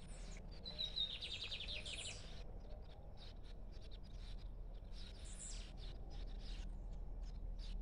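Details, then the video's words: Uncaged lined seedeater singing at liberty, giving a sharp whistled note followed by a quick run of repeated buzzy chirps over about two seconds, then scattered faint ticks and steady low noise. "Bigodinho cantando Solto"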